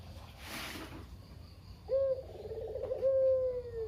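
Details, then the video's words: After a brief burst of noise, a captive local Barbary dove gives a kugeru coo, a clipped high note and then a long rolling purr that sinks gradually. Its calling is offered as a lure for other doves. "Burung Puter Lokal (kugeru) gacor abis // Pancingan burung puter lain biar bunyi"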